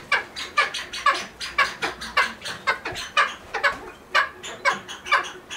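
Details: Cheer pheasant at a pheasant nursery: harsh, broadband clucking calls repeated about twice a second in an uneven series.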